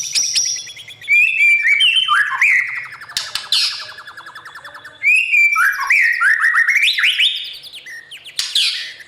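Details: White-rumped shama morning song used to train young birds for singing contests: long rich phrases of rising and falling whistles, fast buzzy trills and sharp sweeps, flowing almost without pause.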